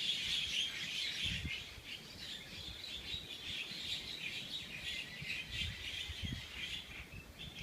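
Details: Birds chirping continuously, with many quick high tweets overlapping in a busy chorus and a faint low rumble underneath.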